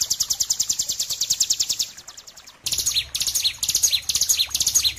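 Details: Bar-winged prinia, a master recording for bird training: a fast, high, pulsing trill fades out, then after a brief silence a livelier series of sharp chirps and downslurred whistles follows in quick bursts.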